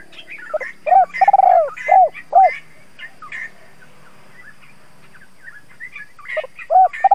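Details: Spotted dove used as a decoy to lure wild doves, cooing in the thúc gù style: a stuttered long coo and rounded hoots, with higher chirping from other birds scattered around and between the phrases.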